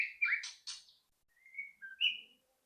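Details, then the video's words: White-rumped shama song used to provoke singing: a few quick chirps and a downward slur, then soft separate whistles after a pause, fairly quiet overall. "pancingan AMPUH murai batu agar cepat bunyi"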